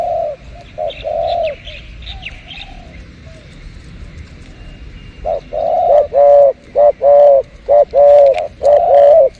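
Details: Spotted dove calling behind house plants, used for luring birds; a few faint high chirps early on, then a steady run of low, hollow coos in short repeated phrases with brief gaps, over a soft background hum.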